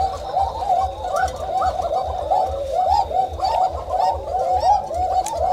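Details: Koka pigeons, breeding pairs in an indoor loft around dusk, give a steady run of soft, rolling coos that rise and fall in quick succession.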